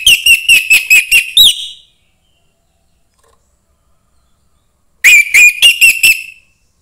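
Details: Young forest-caught orange-headed thrush song meant to stimulate other thrushes. Two loud phrases of fast, bright whistled notes, about seven notes each, the first ending in a rising slur, are separated by three seconds of silence.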